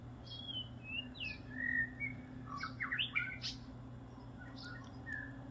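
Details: On Kauai, a bird the owner suspects is a white-rumped shama sings outside the windows: rich, varied whistled phrases, some sliding up or down, broken by sharp chips, over a steady low fan hum.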